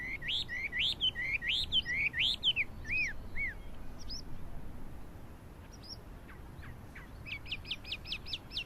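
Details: Chinese hwamei song, 12 April 2009: rich rising whistles in quick sequence, a quieter middle with scattered thin notes, then a tight repeated series of short sharp notes.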